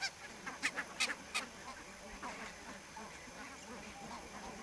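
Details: Fog-bound barnacle geese at Niittylahti, Savonlinna, Finland, on 2 October 2011: a quick burst of four or five bright yelping honks, then the flock fades to faint distant chatter.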